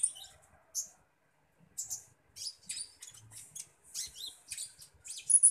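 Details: A common iora being fed gives high, thin, scratchy chirps in short bursts, irregular at first, then quicker and denser toward the end.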